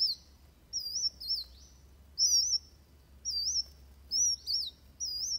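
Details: Van Hasselt's sunbird fighting song used as a master recording for training birds: high, thin wavy whistled phrases, each under half a second, repeated about once a second over a faint low hum.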